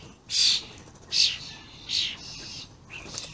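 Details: Vocal juvenile and adult common starlings, 28/05/16: three evenly spaced harsh screeches under a second apart, followed by a quieter drawn-out hiss and a faint whistle.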